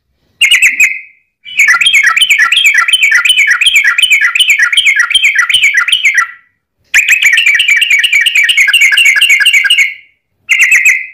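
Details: Long rapid-trill fighting song of a yellow-vented bulbul, used as a lure to make other bulbuls sing: a five-second burst of fast chattering, bubbly notes, a pause, then a three-second burst and brief note fragments.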